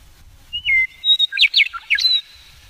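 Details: Male Western meadowlark, wild in sagebrush foothills north of Garden City on the Polecat Gulch Trail, spring 2017, phone recording: one song phrase of clear whistles, a downward slur, then a rapid tumbling run of bright gurgled notes ending in a high whistle.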